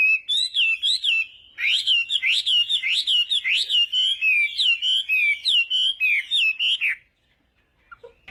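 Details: Chinese hwamei giving fighting-style morning song for voice training: loud, rapid whistled phrases of rising and falling slurred notes, repeated almost continuously for seven seconds, then near silence with a faint note at the end.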